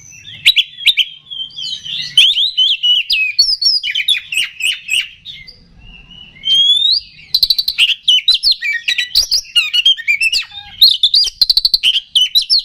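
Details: Oriental magpie-robin song meant to provoke and anger rival birds: a rich, rapid stream of varied whistled and buzzy notes, fast trills and sharp clicks, a short pause midway, then dense chattering phrases.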